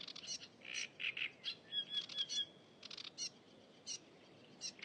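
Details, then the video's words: Wild cigrok singing actively in nature: bursts of high, sharp chips and short buzzy trills, some notes with thin whistled slides, in irregular clusters over a steady low background hiss. "Burung cigrok gacor di alam"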